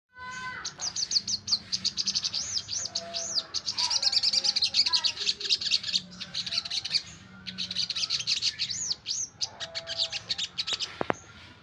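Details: Common iora singing vigorously: dense runs of high looping whistles and rapid chirps, with short pauses between bursts and faint low hum underneath.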